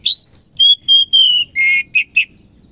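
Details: Oriental magpie-robin in morning song, a short loud phrase of about eight clear whistled notes, mostly level or gently falling, followed by harsher, lower, buzzy notes at the end.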